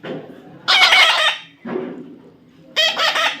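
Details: Young parrot being tamed, giving two loud rasping screeches with a softer rough call between them, in a short burst of harsh calling.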